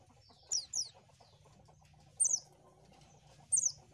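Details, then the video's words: Oriental white-eye call used for luring birds: a few thin, very high descending chirps in pairs, spaced by pauses of over a second, with a soft low hum behind. "SUARA BURUNG PLECI AMPUH !!!"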